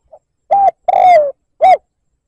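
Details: Cooing lure call of a spotted dove for provoking rivals: a brief quiet pip followed by a clean three-part phrase, a steady coo, a drawn-out falling coo and a rounded final coo, in silence.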